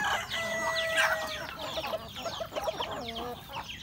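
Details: Home flock of chickens, roosters and hens, feeding at breakfast; drawn-out tonal call early on, then rapid harmonic clucks and high peeps, about four per second.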